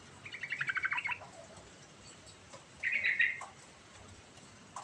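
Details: Sooty-headed bulbul in lively rolling song with varied fill-ins, used to lure a silent bulbul into singing: two quick bursts of bubbly, chattering notes, one near the start and another after a two-second pause.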